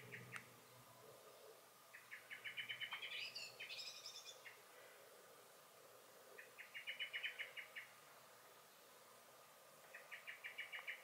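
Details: Garden blackbird in May 2021 mixing a brief high twittered song phrase with several quick series of clipped, chinking alarm notes, each series lasting about a second.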